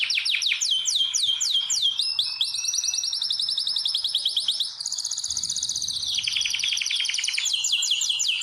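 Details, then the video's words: Canary singing in a breeding room used for preparing and pairing birds: sweeping downward notes, then long rolling trills that shift pitch several times, with a rapid repeated-note passage near the end. "جولة في غرفة طيور الكناري مع تغريد روعة"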